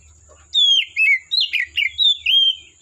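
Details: Wild forest Oriental magpie-robin delivering a loud, clear run of high whistled notes, sliding and warbling in quick successive phrases, with a faint low hum behind.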